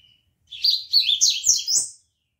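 A seedeater sings a quick, high, warbled phrase of about a second and a half, with rapid twittering notes that rise and fall. Nothing else is heard.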